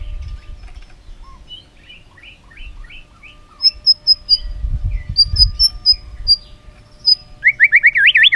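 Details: White-rumped shama "isian" song, used as a lure for other shamas: soft chipping notes in a series, then high thin whistled pips, ending in a quick, loud rippling trill; low background rumble.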